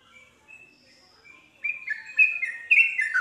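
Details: Yellow-vented bulbul song used to set other bulbuls singing: soft, quiet whistles at first, then a loud burst of bubbly, rollicking warbled notes in the final half.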